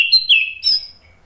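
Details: Brief fragment of orange-headed thrush song for prompting birds to sing: two quick high whistled notes sliding downward, then a thin fading trill.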